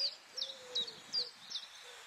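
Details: White wagtail (Motacilla alba alba) at Quiberon, France, in May 2017 gives five sharp, high chirps, evenly spaced about every third of a second, over a faint low steady hum.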